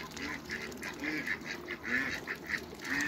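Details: Hybrid Cayuga and Muscovy ducks meeting in a backyard chatter with rapid, clipped quacks, several birds calling at once in an irregular stream over a low background hum.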